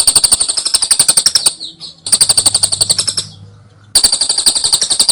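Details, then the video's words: Lovebird ngekek song used as a training recording: rapid dry chattering trills in bursts of about a second and a half, separated by short pauses, bright and high-pitched, with a faint low hum between bursts. "Masteran love bird ngekek jeda rapet"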